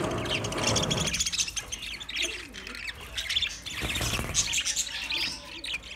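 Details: Twenty pairs of budgerigars kept together chirping, a dense chatter of high warbles and squawky notes, with a low broadband rumble through the first second.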